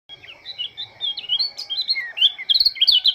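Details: Oriental white-eye (pleci) from Lombok singing in the morning: a fast, rambling stream of high, thin twittering notes, rising and falling slurs tumbling together without pause, growing louder toward the end.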